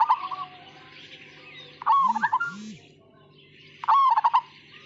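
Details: Zebra dove, Majapahit song style, delivers rolling pulsed coos at about two-second spacing. Two deep, low hooting notes sound in the middle, with faint background chirps and a low hum.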